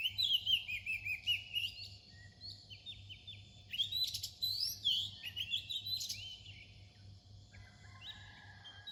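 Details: Oriental magpie-robin near dawn, singing loud, sweet whistled phrases that swoop down and up, delivered in quick clusters with a brief lull midway; a faint steady hum underneath.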